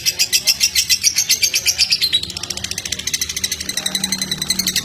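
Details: Song of a lovebird meant to stimulate pet lovebirds: dense, high twittering chirps that start slower and then quicken into a faster, tighter chatter, with a low hum rising near the end.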